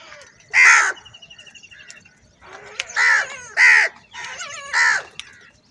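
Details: Many crows fighting over food; hoarse, raspy caws repeat in a loose series of four loud calls, while a small bird's rapid trill runs beneath the first call.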